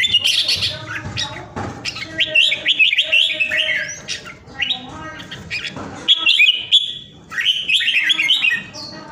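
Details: Caged red-whiskered bulbul at home in Vietnam during the Covid pandemic, singing like a 'ground airplane': loud, rollicking whistled phrases in fast sequences, pausing briefly between bursts, with clicking noises in the background.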